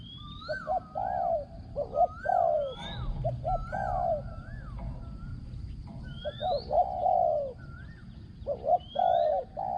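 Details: Spotted dove used as a decoy for ground luring, voice described as small and ringing with strong, well-delivered coos: low hooting phrases of short notes ending in a long drawn coo, repeated through the clip, with higher whistling birds overhead.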